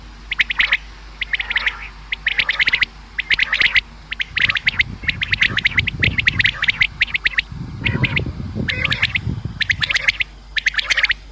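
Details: Common quail sound used for hunting: steady series of rapid three-note phrases, sharp and high, repeated about every second, with low rumbling background noise in the middle stretch.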